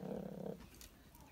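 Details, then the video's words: Caged chickens growling while fighting over space in the cage: a single brief, low, buzzy rumble lasting about half a second, then quiet. "Куры умеют рычать Interesting fact Chickens growl like dogs"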